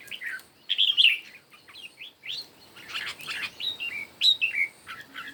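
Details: Red-whiskered bulbul singing competitively in the morning, a lively run of sharp whistled and slurred notes in clusters, rising and dropping in pitch, separated by short pauses.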